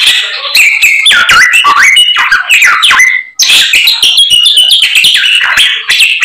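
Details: White-rumped shama in constant song with isian filler: bright whistled notes and downslurs in quick bursts, a short pause after three seconds, then dense varied phrases.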